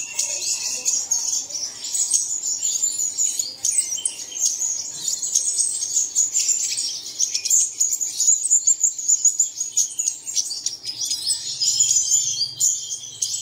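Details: Continuous chorus of high, rapid chirps and trills from many birds, used at dawn to set caged birds singing. The twittering stays dense throughout, rising into louder bursts now and then.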